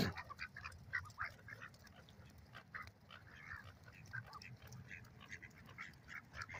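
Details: A flock of ducks on a lake keeps up a steady, overlapping chatter of short nasal quacks and clucks, with no pause and a low rumbling background.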